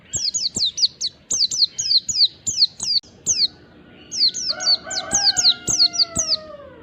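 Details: Wild Oriental white-eye lure song, meant to make other white-eyes respond: rapid bursts of thin, high, down-slurred chirps, a brief pause, then a second burst, with a lower whistled slurring note from another bird underneath.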